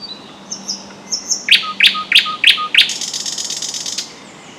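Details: Thrush nightingale singing very loudly from a bush, hard to see in the thicket, at a lake in spring; five sharp, loud repeated notes at a steady pace, followed by a dry, buzzy rattle that fades out.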